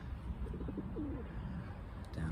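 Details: Feral pigeons (Columba livia) in urban Hackney, London, in May 2022, cooing to one another in soft, low, throaty coos in quick rolling phrases, over a steady low outdoor rumble.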